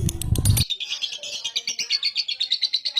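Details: Lovebird ngekek while falling asleep: after a short noisy start, a clean run of quick, high, trilling chirps pulses evenly, about seven notes a second.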